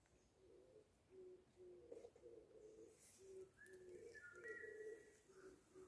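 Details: Bird sound heard in spring in Seoul: low, soft cooing phrases repeated steadily throughout, joined in the second half by brief higher whistled notes.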